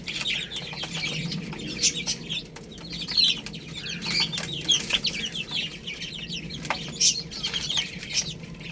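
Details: Baby chickens eating rice, steady flock chirping made of many thin, falling peeps at a moderate level, interrupted by sharp clicks and light taps, over a low hum.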